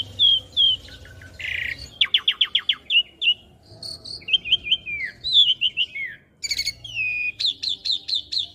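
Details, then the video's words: Asian pied starling song used to train young birds: jumbled whistles and chattering, a series of rapid sharp downslurred notes, warbled phrases, then a final run of five quick rising whistles. "Masteran Jalak Suren Muda Agar Cepat Masuk Materi Mudah Di Tiru"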